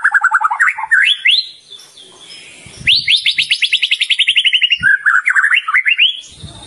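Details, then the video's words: White-rumped shama, a contest champion, singing nonstop: rising whistled phrases, a pause, then a rapid descending trill followed by more upward-swooping notes. "Murai Batu Kesurupan // Murai Gantangan Juara 15 menit non stop"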